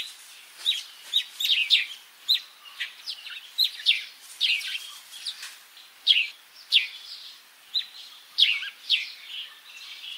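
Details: Sparrow calling in Africa: a rapid run of short, bright chirps, many sharply falling, tumbling one after another for ten seconds with barely a pause; no other sounds stand out.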